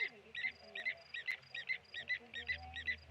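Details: Blacksmith lapwings dive-bombing a tawny eagle at the Okaukuejo Resort waterhole, Namibia: sharp metallic clinking notes repeated about twice a second, steady and ringing, with faint low background hum.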